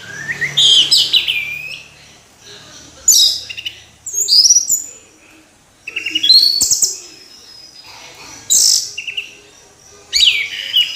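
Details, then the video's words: Orange-headed thrush in full song, delivering short, loud phrases of rich whistles and rapid twittering about every two seconds, with brief silences between them. "Anis Merah Kicau Sampai Teler"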